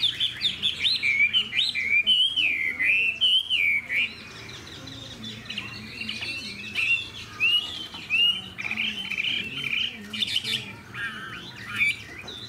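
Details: Fan-tailed caged hwamei with a good voice, its song opening in loud warbling whistled slurs, then breaking into spaced bursts of varied whistles and chatter with short pauses between phrases.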